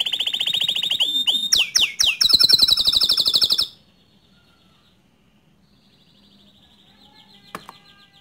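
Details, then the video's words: Bottle-green canary singing a tutor song for young and untrained canaries: nearly four seconds of fast trills and swooping whistles, then quiet with a faint distant trill and one sharp click. "Kicau Kenari Hijau Botol Untuk Masteran kenari Paud & Bahan"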